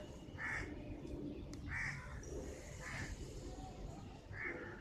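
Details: Indian peafowl (Pavo cristatus), a peacock, gives four short, harsh, nasal calls, roughly one every second and a bit, over a steady low rumble of background noise.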